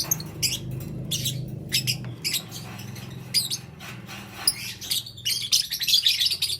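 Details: Lovebirds in green, yellow and lutino colours, calling in the morning: bursts of shrill, harsh, high chirps come in quick clusters with short gaps, over a low steady hum in the background.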